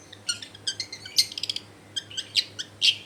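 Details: Long-tailed shrike heard more distantly, singing as a lure for other shrikes: soft bursts of high chattering and squeaky notes over a constant low hum.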